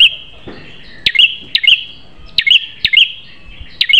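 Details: Prinia singing a fierce training song for caged birds: crisp high click-and-chirp doublets repeating at irregular intervals, with a faint constant high-pitched hum behind.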